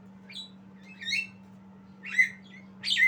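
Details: Javan myna, a young bird learning song, produces three scratchy, squeaky phrases with short whistled tails, separated by pauses of nearly a second, over a faint steady hum.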